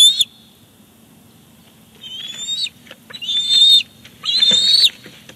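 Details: On 18 July 2019 at Big Bear Lake, a male bald eagle brings a fish to the nest chick. After a brief clipped call and a pause, three rising, whistled squeals grow steadily louder.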